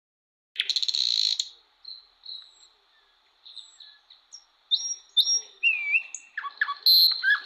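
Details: A common nightingale sings in spring, a varied phrase opening with rapid rattling notes and moving into pure whistles.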